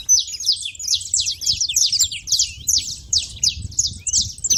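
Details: Saffron finches at a feeder make noise: a rapid, busy stream of high, sharp chirps and twittering notes, roughly three per second, overlapping and uneven in rhythm, with faint low rumbling background.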